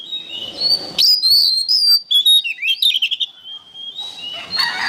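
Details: Training song of an oriental magpie-robin: a loud high whistled phrase of sliding notes and rapid chips, ending in a sustained level whistle and softer trailing notes over light background noise.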